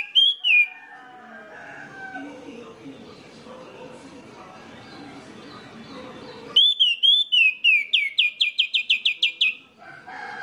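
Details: Lure song of an orange-headed thrush, played to make others of its kind sing: a short whistle, a long pause with faint background noise, then a rich whistled phrase breaking into a rapid rattle of repeated sharp notes.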